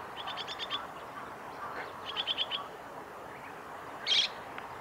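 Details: Chestnut-cheeked starling at the North Fuji training area, Japan, 2 July 2017: quick bursts of thin, squeaky chattering notes, then one loud harsh squawk near the end, over a soft steady background hiss.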